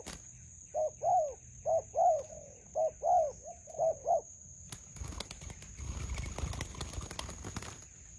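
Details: Spotted dove cooing at a trapping site in a melaleuca grove with a decoy: four paired coos, each a short note followed by a longer rounded one, then rustling and handling noise, with a steady high insect drone throughout.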